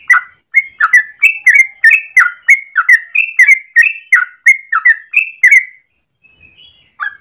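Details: Morning song of a yellow-vented bulbul, a long rapid ropel used as lure or master for training: fast string of liquid whistled notes for about six seconds, then a pause and a faint thin note before singing resumes.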